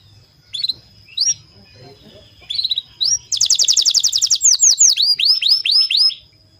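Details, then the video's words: Canary song played as a lure to prompt other canaries to sing: scattered short chirps, then a rapid trill of about a dozen high notes, followed by a series of clear, rising-then-falling whistled slurs. "kicau burung kenari"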